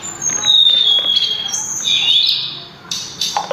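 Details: Sulingan, also called tledekan gunung, in melodious song: one long thin whistle held steady, then a rising-falling warbled note, a pause and brief soft clicks at the end.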